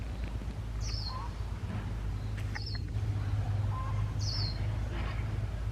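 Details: Caged white-eye used as a lure for trapping, giving sparse, thin, high chirps that slide downward, a few seconds apart. Soft clicks and low murmurs are mixed in over a droning hum.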